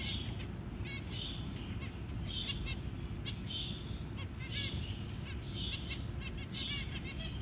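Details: Zebra finch at the nest feeding its just-hatched chick; intermittent nasal buzzy notes alternating with short bursts of stacked chirps, low constant hum underneath.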